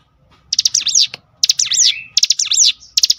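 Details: Cinereous tit singing as a provoking lure: three bursts of high, ringing notes that dip and rise, with a brief rising whistle and faint low rumble beneath.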